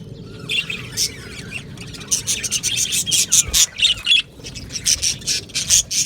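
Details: Budgies in an aviary colony, opening with a faint warble, then a run of sharp, separate high chirps and squawks in quick, uneven succession.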